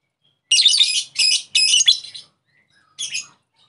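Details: Lovebird calling to challenge an opponent and set off its ngekek chatter, heard as three loud, grating high screeches in quick succession, a second of silence, then one shorter rasping screech.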